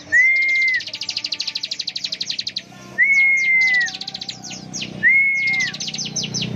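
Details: Bar-winged prinia singing ngebren style: a whistled note, a long rapid high trill, then two more level whistles separated by scattered sharp chips and short trill bursts.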